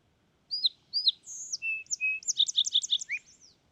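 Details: Fox sparrow singing a rich, varied phrase: two paired sliding whistles, then a high clear note and two steady lower whistles, ending in a quick run of bright chipping notes and a final falling slur. Quiet background.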